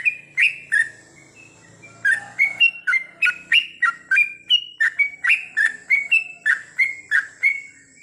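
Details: Yellow-vented bulbul (trucukan) heard at night, recorded as practice sound so kept birds sing long goklik phrases: two sharp notes, a brief gap, then a steady rush of whistled chips, rising and falling, roughly three a second.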